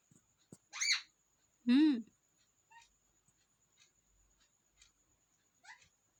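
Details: Pet parrot talking: a short, high, harsh voiced syllable followed by a louder, wavering speech-like utterance rich in harmonics, then scattered soft clicks and a faint chirp near the end, in otherwise quiet surroundings.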